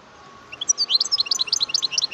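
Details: Song of a wild European goldfinch, 2018: a quick string of liquid, high twittering notes jumping up and down in pitch, with a faint steady tone underneath.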